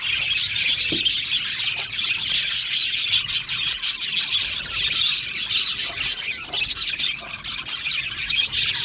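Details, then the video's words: Aviary budgie colony singing and chirping. A constant high, buzzy twittering runs throughout, broken by clusters of quick clicking chirps and a few louder squeaky notes. "Beautiful Australian Budgie birds aviary sound | Budgie singing and chirping sounds"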